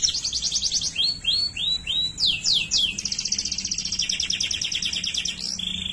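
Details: Waterslager canary singing: rapid trilled phrases near high pitch, then slower rising-falling whistled notes, a few sweeping slurs, a long buzzy rapid trill and a short steady whistle at the end; faint low hum beneath.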